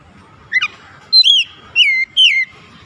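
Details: Sharp, clear oriental magpie-robin song used to rouse lazy birds to sing: a brief double chip, then three strong whistled notes spaced by short pauses, each with a downward-curving sweep.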